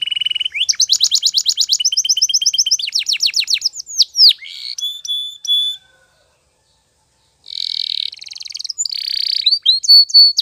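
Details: Spanish Timbrado canary song used for training canaries to sing: rapid metallic rattling trills changing pitch from section to section, some sliding whistles, a brief pause, then buzzy trills resume.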